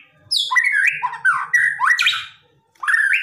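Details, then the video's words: Aggressive white-rumped shama song full of rapid 'shots', meant to make a silent shama respond: varied whistled and slurred phrases, some rising and some falling, in quick bursts with a short pause before a final rising phrase. "BIKIN MURAI DIEM JADI GACOR EMOSI"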